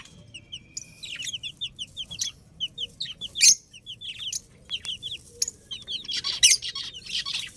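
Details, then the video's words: Baby chickens, chicks, peeping constantly: rapid high, downward-slurred cheeps in quick runs, several birds overlapping, with occasional louder shrill bursts. "Cute Chicks Sound Effect 🐥🐣 | Beautiful Baby Chicken Sounds"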